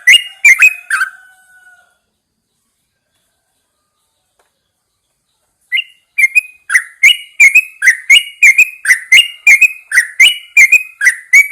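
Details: Yellow-vented Bulbul in a cage hung out in the early morning, singing a few fluty notes, falling silent for several seconds, then resuming a long string of rapid, chirpy whistled phrases.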